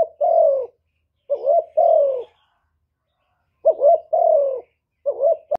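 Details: Cooing of a decoy spotted dove challenging a wild bird: soft hollow double notes, a quick upturned coo leading into a longer sliding coo, repeated three times with a long pause mid-way, otherwise quiet.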